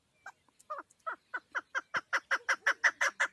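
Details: Female chukar partridge kept for hunting starting with scattered soft clucks that quickly build into a faster, louder series of throaty chuck notes, accelerating toward the end.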